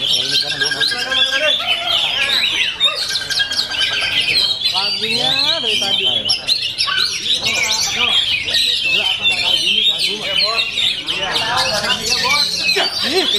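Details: Oriental magpie-robin in full-power singing: long, unbroken stream of high whistles, shrill trills and scratchy chatter, phrases tumbling one into the next with repeated quick up-and-down sweeps and lower rasping notes underneath.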